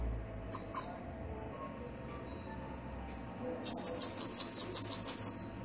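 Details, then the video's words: Bananaquit male and female: a couple of thin, high chips, then a fast run of about ten buzzy, sibilant notes near the top of hearing. "CANTO DO SIBITE MACHO E FEMEA - CAMBACICA"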